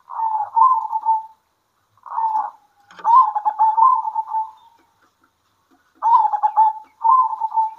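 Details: Midday song of local zebra doves answering one another. Each phrase is a trilled, rolling coo lasting about a second or more, spaced by gaps of up to two seconds.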